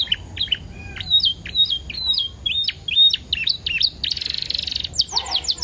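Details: Canary song used as a lure to get canaries singing: a rapid, varied string of high whistled chirps, some rising, some dropping, then a dense buzzy rattle and further sweeping whistles near the end.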